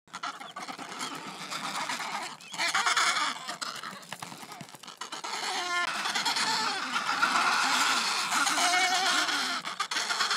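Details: Adélie penguins at a noisy colony on the Yalour Islands, Antarctic Peninsula, break into a sudden squabble lasting several minutes after chick-feeding and pair displays, with harsh grating squawks and throaty brays, several voices overlapping in quick bursts.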